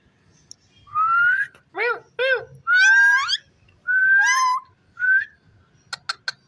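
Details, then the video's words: Talking rose-ringed parakeet gives a string of varied phrases: a clear whistle, two short hoarse syllables, a long rising nasal word, a wavering phrase, then a brief whistle and a few sharp clicks. "cute parrot amazing voice talking"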